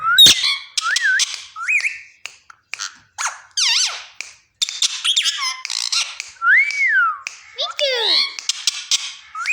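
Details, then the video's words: Pet parrot producing a rapid jumble of squeaks, clicks, short whistled slides and harsh chatter, with frequent brief pauses. "parrot talking"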